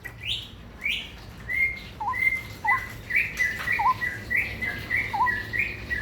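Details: Ropel-style song of a straw-headed bulbul: rich, liquid whistled phrases repeated almost every half second, with level whistles mixed with lower upward-flicking notes, continuous and rapid, over a soft low hum.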